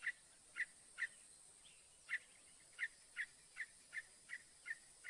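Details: Northern mockingbird singing: a steady series of about a dozen short, sharp chip-like notes, evenly pitched and spaced roughly every third of a second, with a quiet hiss in the background.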